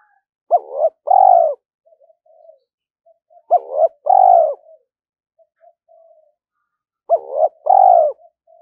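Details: Spotted dove decoy, 'giọng thổ' voice, calling to lure and challenge wild doves: three phrases about three and a half seconds apart, each a quick double hooked note and a full drawn-out coo, with small soft notes between.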